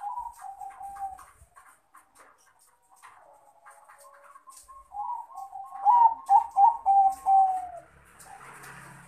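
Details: Crossbred Bangkok-type male zebra dove calling out to a rival; soft, faint cooing at first, then a loud phrase of rapid trilled notes that ends in a drawn-out descending coo.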